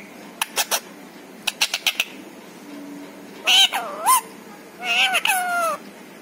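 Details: Pet parrot imitating speech, one of whose phrases is Radhe Radhe; quick clicking sounds first, then two longer wavering, voice-like phrases that dip and rise in pitch.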